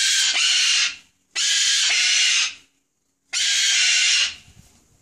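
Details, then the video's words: Cockatoos screaming: three long, harsh, broadband screeches, each close to a second long, separated by short silences. "cockatoos screaming"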